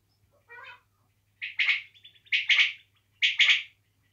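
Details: Native quail (desi batair) calling: a faint raspy note, then three repeated phrases of sharp, quick pips grouped in twos and threes, about one phrase per second, over a steady low hum.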